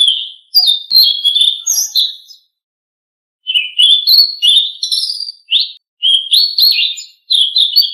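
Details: Blue-winged leafbird song used as a training recording to get caged birds singing: loud, varied, rapid whistled and warbled phrases, rich and fluid, in two bursts separated by a one-second pause, with thin high notes above.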